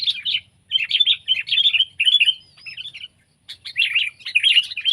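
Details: Sooty-headed bulbul singing short, separate liquid phrases of bubbly warbled notes, about one phrase per half second, a silent break, then several more gurgling phrases.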